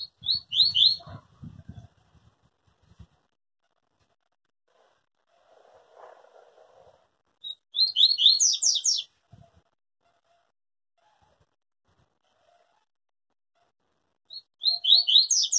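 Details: Pure Tui Tui style song of a yellow-bellied seedeater, said never to break while singing: three separate rapid strings of bright, high, slurred notes, several seconds apart, with soft low thumps and faint background noise between them.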